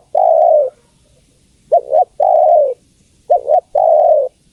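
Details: Female spotted dove calling a male; a long coo opens, then two phrases of a brief double hoot and an extended, gently falling coo, spaced roughly one and a half seconds apart.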